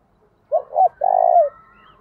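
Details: Lure spotted dove giving its urging and summoning call to attract wild doves: two quick rounded coos followed by a drawn-out, rough, pulsed third note that falls away at its close, with a faint thin whistle above.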